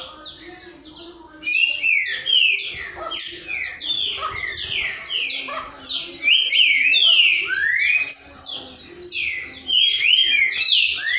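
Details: Several green-winged saltators singing together at midday (12:30) on Friday 22 November 2019, their rich whistled phrases overlapping into a dense chorus.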